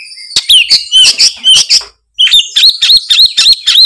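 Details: Oriental magpie-robin (kacer) in full gacor ngeplong song: rapid repeated sharp whistled notes with harsh overtones, about four per second, a brief gap, then a steady series of looping chirps.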